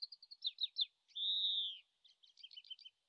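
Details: Oriental greenfinch in Japan in late March, recorded from a distance and apparently still practising its song: quick high twittering notes around a long, drawn-out nasal buzz lasting most of a second, then more rapid twitters.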